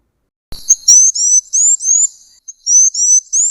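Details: In southern Africa, a Blue Waxbill gives a rapid string of very high, thin, slurred whistles, each rising slightly, about three per second, with brief pauses between bursts.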